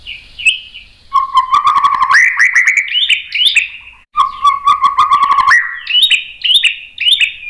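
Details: White-rumped shama singing as a lure to make another bird respond. Low steady whistles break into rising, varied phrases, laced with dry clicks and ticks, in two long bursts.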